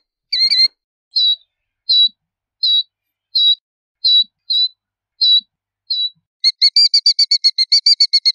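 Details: Killdeer: an opening harsh call, then a steady string of short high notes about every 0.7 seconds, then a fast rapid trill of repeated notes to the end.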